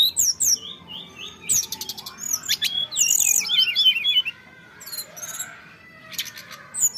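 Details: Bali myna singing energetically: dense phrases of rising and falling whistles run together into a quick series of looping notes, mixed with buzzy rattles and harsh chatter, then pause before a brief final outburst.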